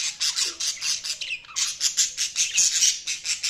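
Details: Budgies squawking in a steady rapid run of harsh, scratchy pulses, about three per second, with a brief descending whistle in the middle.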